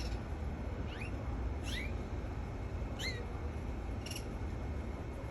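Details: Canary uttering four clear rising chirps, spaced roughly one per second, each a brief upward-sweeping whistle, against constant low hum and background hiss.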